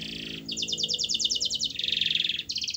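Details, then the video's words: Canary song played to prompt a quiet canary to sing: rapid trilled phrases, a fast buzzy rattle, then a sustained rolling trill and another quick trill, all high-pitched and continuous. "Kenari Anda MALAS BUNYI, Coba Putar Video Ini !!!"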